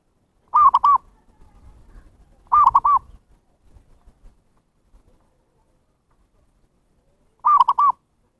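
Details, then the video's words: Zebra dove lure call for wild birds, three short three-note cooing phrases at irregular gaps of two and five seconds, with faint low rustling between the first two. "SUARA PIKAT PERKUTUT นกพิราบชวา Chim Cu Vằn | memanggil burung liar"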